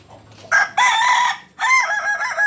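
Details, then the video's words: Crowing Kokok Balenggek cock native to Solok, West Sumatra: two loud harsh opening bursts followed by a wavering multi-step phrase rising and falling in pitch, over faint low background noise. "Ayam kukuak Balenggek... Asli solok Sumbar.."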